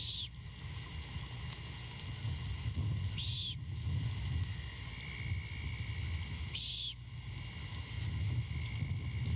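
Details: Nest-camera recording of a great horned owl chick at night, Savannah area, February 2022, begging as the mother brings a rat to the nest branch; three harsh raspy screeches about every three and a half seconds, constant low rumble behind.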